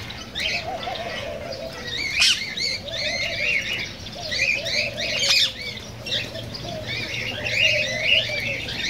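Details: Cockatiels chirping and squawking, a sound offered to encourage breeding and song: dense overlapping rising whistled notes with a few sharp loud peaks, over wavering lower tones and a faint hum.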